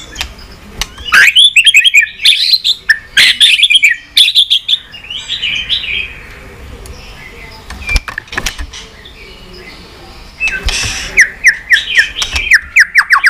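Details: White-rumped shama song for stimulating pet shamas: energetic bursts of varied whistles and chattering notes with quieter gaps. It closes with a quick series of short, sharp descending whistles.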